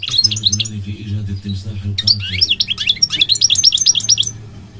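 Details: Bright, jangling goldfinch song of quick chirps and slurred notes in three bursts, finishing with a rapid trill, over a soft low hum.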